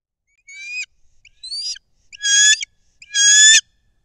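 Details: Bald eagle at a nest high in a loblolly pine near the shore of Kincaid Lake, Kisatchie National Forest, Louisiana, 23 December 2023: four high, thin, squealing whistled notes with harmonics, growing louder and longer, spaced about a second apart.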